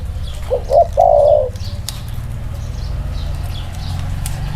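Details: Spotted dove, one of two birds set side by side for a cooing comparison, giving a single phrase: two short rising notes and then a long throaty coo. The rest is a quiet background with soft distant chirps.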